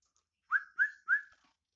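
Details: Black-naped oriole in active song, producing three rich, fluty whistled notes in quick succession, each sliding upward and then trailing off, with nothing else audible.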